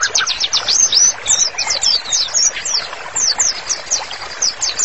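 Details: White-rumped shama singing actively, offered as master song for therapy: rapid high ticking and chipping notes in irregular bursts, interspersed with brief sharp whistles, fast and scratchy in texture.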